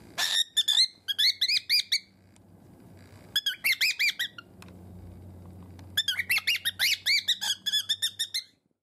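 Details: Captive cockatiel in a room, loudly squawking whenever its owner's fingers appear, after biting them. Rapid strings of rasping, nasal screeches arrive in three bursts separated by brief pauses, over a low steady hum.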